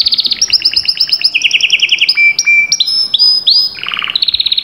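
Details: Canary in lively full song: loud, rapid trills of repeated notes shift between pitches, joined by long pure whistles and rolling buzzy phrases, ending in a fast stuttering trill.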